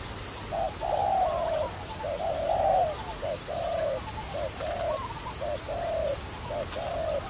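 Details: A trapping dove gives a run of soft, low coos, alternating brief notes and drawn-out purring syllables in a steady sequence over several seconds, against constant faint high-pitched background noise.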